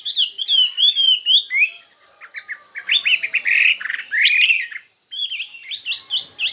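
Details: Chinese hwamei singing in a contest, delivering many varied, intense phrases: bright slurred whistles that fall in pitch, bursts of rapid chattering notes, and short pauses near the two- and five-second marks before new whistled runs.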